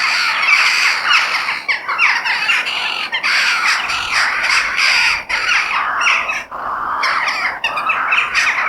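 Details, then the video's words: Many crows calling outdoors in nature: loud, hoarse, squawking caws pile on top of one another in an unbroken, chattering mass, with a few brief dips. "The Sound of Crow In Nature"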